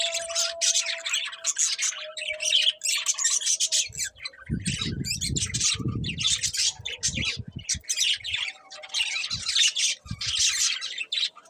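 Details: Budgerigars keep up continuous bright, scratchy chirping in pulsing bursts, with low rustling and thumping noises midway and a faint steady hum underneath.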